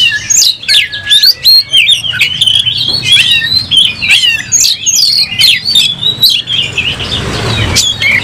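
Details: Oriental magpie-robin in full voice, fighting with tail opened and showing emotion; rich, fast run of whistled, warbled and chattering notes with clicks, continuing steadily, a low rumble near the end.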